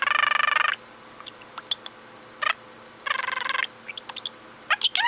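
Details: Pet budgerigar kept indoors, giving buzzy harmonic warbled bursts with short clicks and chirps between them, then a rapid burst of high rising squeaks near the end.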